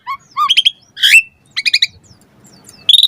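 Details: Caged-bird training song of an Asian pied starling: short whistled notes, stuttering trilled clusters and a harsh rasping note, with a pause before a bright buzzy trill at the end.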